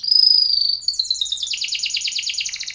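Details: Timbrado canary singing for training: a loud sustained high whistle, then a rapid metallic trill of quick repeated pulses that continues steadily throughout.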